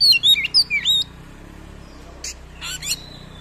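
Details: Oriental magpie-robin singing actively with long rolls and many filler phrases, used to provoke and tutor other magpie-robins: a quick run of high whistled slurs, then a pause and three short harsh rasping bursts, with a faint steady hum.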